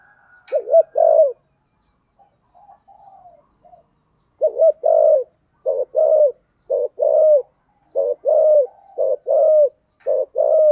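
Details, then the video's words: A spotted dove's 'giọng thổ' song: a couple of opening coos, a quiet stretch with soft murmurs, then a lively series of low, rounded coos repeating in quick groups. "chim cu gáy giọng thổ"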